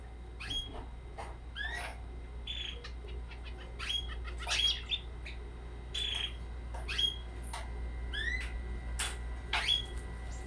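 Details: Twenty-day-old red canary chick, kept indoors, giving scattered high chirps and short rising tweets with sharp clicks between, over a steady low hum.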